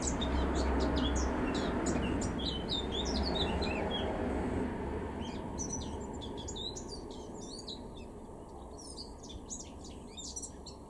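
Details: A male Eurasian blackcap sings in a garden in Weener, East Frisia, northwestern Germany, in April 2021: a fast, chattering warble of varied high notes, continuous throughout, over a steady low rumble of background noise.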